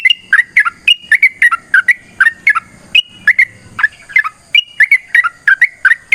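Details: Sooty-headed bulbul delivering a long, lively fighting song meant to draw replies: clear, slurred whistles in rapid pairs and triplets, some flat, some swooping down, a short pause midway, a faint steady high tone behind.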